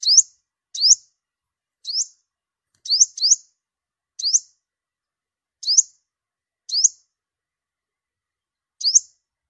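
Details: A yellow-bellied olive-backed sunbird used to lure birds in migration season gives about ten short, sharp upward-sweeping whistles at uneven intervals, some in quick doubles, against complete quiet.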